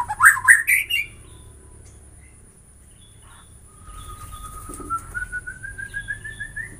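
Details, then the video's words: White-rumped shama singing: a burst of loud, rising, rich whistled notes. After a quiet gap comes a long, soft series of rapid notes that gradually climbs in pitch. Faint hum underneath. "Semua jenis murai batu bakal gacor dengan suara ini"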